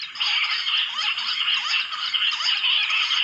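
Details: Jungle bush quail in the forest, drawn in by playback from a speaker, give a dense, continuous twittering of high, whistled chirps that overlap without a break, like several birds calling together.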